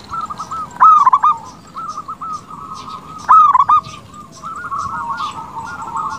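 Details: Zebra dove of a local strain in strong song, meant to draw rival doves to answer: two loud trilled cooing phrases about 2.5 seconds apart, each with a sharp onset, between quieter ongoing coos.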